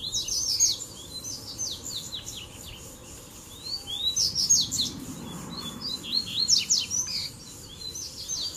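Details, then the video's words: Double-collared seedeater song mix in tui tui, zel zel and mateiro styles, used to excite other birds into singing: fast high chips and slurred whistles in repeated bursts over several seconds, many overlapping voices. "Baderna de Coleiro Tui Tui Zel Zel e Mateiro Top Pra Esquentar a Fibra do Seu"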